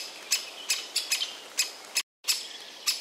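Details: A Great spotted woodpecker chick begs for food from a tree hollow with a parent present, giving sharp, high chirps, several a second in uneven bursts with one brief silent gap; the second parent calls in the background.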